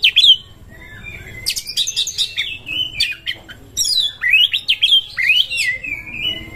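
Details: Oriental magpie-robin in breeding condition, used as a lure for other birds, singing loud varied whistles with rising and falling slurred notes and quick chattering bursts.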